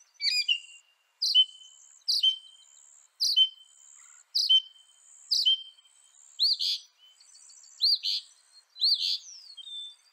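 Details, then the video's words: A northern mockingbird, native to North America, gives sharp high notes with short tails, repeated about once a second, then changes to arched, upslurred notes in the same rhythm. "Veja o canto do pássaro, ave zombeteira"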